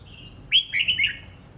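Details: Red-whiskered bulbul practising its morning song: a soft held whistle, then a loud, rapid rising-and-falling run of three or four liquid slurred notes.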